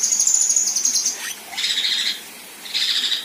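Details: Female kinoi performing besetan and rough tembakan kasar phrases for training contest birds: a high rattling trill gives way to two coarse, buzzy bursts separated by a short silence.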